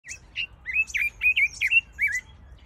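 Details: Red-billed leiothrix, also called Chinese nightingale or Pekin robin, singing a quick run of whistled, warbling notes that swoop up and down, about eight phrases in under three seconds over faint low rumble.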